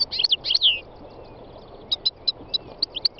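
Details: North African goldfinch, three years old, singing on a spring day in the north-west mountains of Tunisia: a burst of rapid, liquid twittering notes, then spaced sharp chirps repeated roughly every quarter second, with other wild birds nearby.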